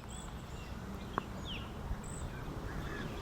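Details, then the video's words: Cedar Waxwing giving two thin, very high, trilled hisses about two seconds apart, at Island Lake Conservation Area, Ontario, in late spring or summer, over a steady low rumble of outdoor noise. "Watch out too for this cool masked looking bird, the cedar waxwing with its high-pitched trilling call."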